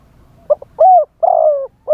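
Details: Spotted dove, a live decoy bird calling in wild style to lure wild doves; a few low, hollow coo notes, one short and two longer, with brief gaps between them.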